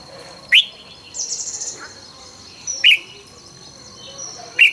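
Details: Red-whiskered bulbul during morning song training, with a fast, fiery style. Three single loud whistled notes are spaced about two seconds apart, among a brief buzzy insect-like hiss and faint chirps of other birds.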